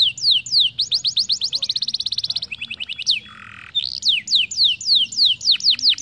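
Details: Canary song for training young canaries to roll: sweeping whistles speed into a quick even trill, a brief lower buzzy note follows, then slower descending whistles resume.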